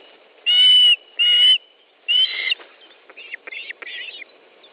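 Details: Osprey at a nest in Estonia during a fish delivery in July: two strong whistled yelps followed by a harsher third note, then softer, broken chirping notes.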